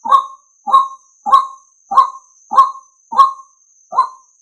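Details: Seven rough, nasal croaks at a steady pace from a male White-breasted waterhen, a call played to lure males, over a thin continuous high-pitched electronic whine.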